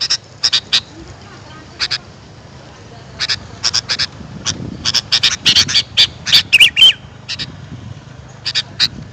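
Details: Sooty-headed bulbul sounds used to draw in wild birds: short, scratchy call notes come in scattered groups of two to four, with a brief run of busier chatter and a thin whistle near the middle, over quiet background hum.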